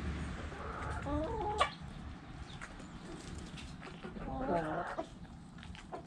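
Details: Backyard hen clucking: two short bouts of quavering, nasal clucks about three seconds apart, heard over a steady low rumble and some faint background chatter.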